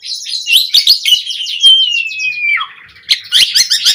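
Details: Black-collared starling song meant as tutoring material for captive starlings: scratchy chattering notes, then a long clear whistle gliding slowly downward and dropping sharply, followed by renewed harsh chatter.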